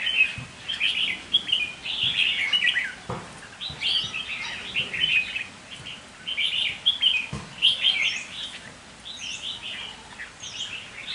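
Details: Red-whiskered bulbul in a cage, kept as a decoy, pours out repeated bursts of bright warbled chirps, with sharp click-like knocks at intervals.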